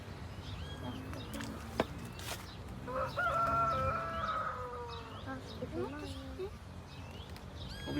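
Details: Rooster crowing at a small farm reservoir while a family fishes: one drawn-out, strained crow lasting about a second and a half, with other birds chirping, children talking and faint music around it.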